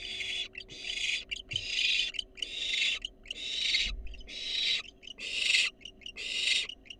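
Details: Wild barn owl fledgling begging for a delivered rat inside a nest box: seven harsh hissing screeches of about half a second each, fairly evenly spaced, with a low bump near the middle.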